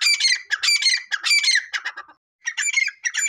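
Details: Repeated raucous call of a grey francolin. Grating multi-note phrases run in quick succession, break off in a brief silence partway through, then resume with slightly higher, thinner phrases.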